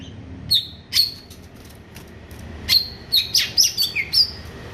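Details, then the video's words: Greater green leafbird, described as ready for competition, delivering jamtrok song: bright, high whistled chips and slurred notes, accelerating into a rapid run of sharp calls in the second half, with a clean quiet background. "CUCAK IJO JAMTROK, BURUNG SIAP TEMPUR"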